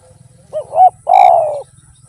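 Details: Spotted dove (derkuku) singing vigorously in the tanpa kuk or kuk 1 style: a short wavering double note followed by one long, mellow, slightly falling coo, over a soft low rumble.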